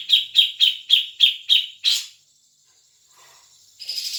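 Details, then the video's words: Seven crisp, regularly repeated chattering notes, about three per second, end in a rougher burst from a grey-cheeked bulbul. A short pause follows, then a hissing buzz begins. Used as a lure so a caged bird will sing. "pancingan cucak jenggot biar bunyi"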